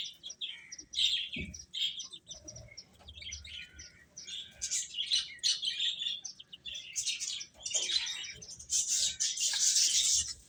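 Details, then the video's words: Baby chickens chirping while eating: a dense, continuous stream of high, short peeps and tweets from several chicks that overlap throughout, with louder bursts toward the end. "Beautiful Chicks Chirping Sounds | Baby Hen Eating"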